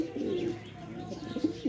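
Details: Afghan pigeons from Parachinar, Pakistan: low, soft rolling coos murmuring under a noisy, hissy background, with a faint chirp near the end.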